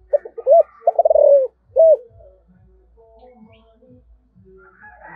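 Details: Spotted dove in 'giọng thổ' voice calling: stuttering notes, a rolling trill and a single rounded coo, then quieter low tones over a faint background rumble.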